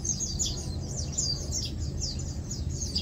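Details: Lowland white-eyes feeding and preening utter sharp, high chips and quick falling whistles in close succession, over a prominent low background rumble.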